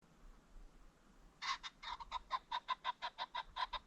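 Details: Ring-necked pheasant along a creek bottom at sunset: a rapid run of harsh, clipped notes, about a dozen in under three seconds, starting abruptly after a quiet lead-in.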